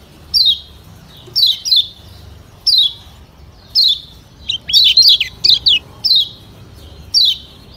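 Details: Yellow white-eye of Lombok (kecial kuning) lure song: crisp high chirps dropping in pitch, given singly or in pairs, then a rapid cluster of twittering notes; steady low hum in the background.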